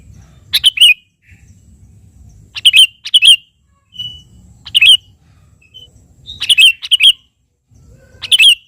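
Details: Chatty sooty-headed bulbul calling out to a rival, played to draw a reply from other birds: four bursts of quick, bright, warbled double phrases spaced about two seconds apart, with a soft low rumble between them.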